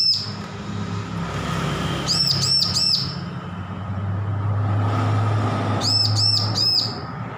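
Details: Juvenile bar-winged prinia recently off hand-feeding, learning to sing, producing two quick bursts of three to four high arched chirps amid a louder low droning rumble.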